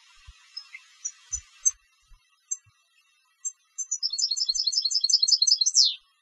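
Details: Competition European goldfinch singing: scattered high chirps and faint twitters, then from about four seconds a fast run of tinkling, liquid notes ending in a sharp descending sweep.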